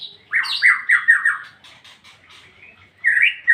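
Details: White-rumped shama singing ngeplong: a strong sequence of four rich, slurred whistles with high overtones, then a softer murmured stretch, ending with a loud rising whistle.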